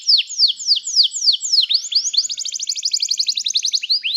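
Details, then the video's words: Canary song offered as training for canaries: a row of evenly spaced downslurred whistles, roughly three per second, then a dense high trill of rapid notes continuing to the end. "O som do canário cantando é muito gostoso! melhor treinamento para canario"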